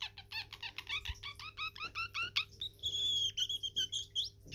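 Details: Pet male parrotlet singing as he dances indoors: quick repeated chirps sliding downward, then breaking into a thin sustained whistle with warbled fragments; faint room hum behind.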